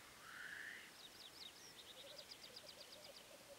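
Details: Black grouse giving a brief breathy hiss early on, followed by a faint, low bubbling coo, with a rapid series of high chirping notes from another bird.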